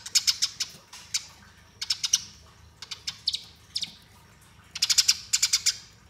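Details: Eurasian tree sparrow fighting song, rolling, for training: scattered short clusters of piercing chirps, some single notes and some quick triplets, ending in a louder rapid burst of several chips.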